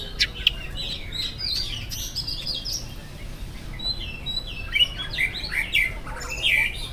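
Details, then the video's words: Oriental magpie-robin singing at a distance in the morning, a lure to get other birds singing. Soft, varied whistles and slurred notes rise and fall over a steady background hiss. "PANCINGAN AWAL SUARA KACER GACOR DI PAGI HARI KACER APA SAJA LANGSUNG NYAUT IKUT BUNYI"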